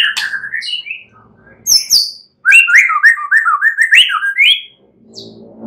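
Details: Varied white-rumped shama phrases played at night to make a bird sing: bright whistled notes, a sharp high squeak, then a fast run of rising-and-falling chirps, ending with a soft high note.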